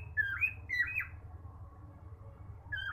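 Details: A male cockatiel whistles: two rising, slurred notes in quick succession, a pause, then another rising note at the end, against a low indoor hum.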